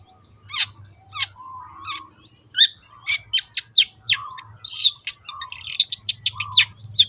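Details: Long-tailed shrike singing 'teot teot' as a lure for other birds: varied sharp downslurred notes, short low whistles and a quickening series of high chips, over a faint low hum.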